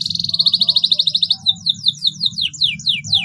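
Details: Canary in long continuous song, meant to stimulate silent canaries to sing: a rapid pulsed trill of high notes shifts into a slower series of descending slurred whistles, over a low rumbling background noise.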